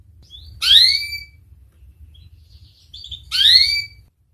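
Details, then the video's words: Canary recorded as a training track for young birds learning song: two loud upswept whistled notes about three seconds apart, separated by faint soft chirps, with a low background hum. "Burung kenari gacor Cengkok Mewah durasi panjang cocok buat terapi kenari agar cepat bunyi gacor"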